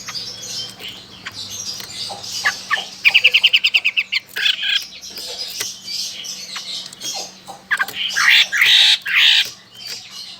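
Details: Chinese hwamei from Sokaraja, Banyumas, Central Java, Indonesia, singing loudly: scattered chirps and sharp notes, then a quick rattling series of about a dozen repeated high notes, followed by more varied, jumbled phrases.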